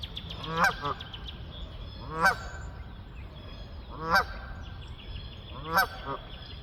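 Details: Flying geese giving four strong, nasal honks about every one and a half to two seconds, each a stacked harmonic burst, over steady low rumble and faint high bird chirps.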